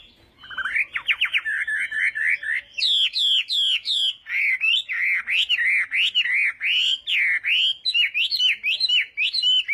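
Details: Morning voice training of a Chinese hwamei in a singing contest: after a quiet start, quick rising whistles give way to a long, loud series of looping, swooping whistled phrases, repeated rapidly without pause.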